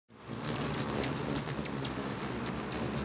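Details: Many hummingbirds crowd a feeder in Bigfork, Montana, fighting over territory; a dense, unbroken wash of very high squeaky chirps, with sharp ticks over the top and a low steady hum of fluttering wings beneath.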